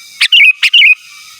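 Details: Sooty-headed bulbul singing persistently to call rivals, with no inserted mimicry: two short, loud, liquid phrases back to back, each a sharp note followed by a rolling descending whistle, then quiet.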